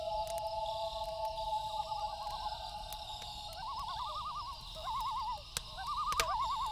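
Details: A nighttime loon call opens with a long, level wail, then breaks into four quick, rapidly wavering tremolo bursts, over a continuous high insect hum with occasional campfire pops.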